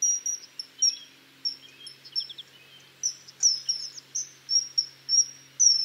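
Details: Common kingfisher sending out high, thin, piercing whistles in irregular bursts, alongside softer, lower twittering notes from another bird early on.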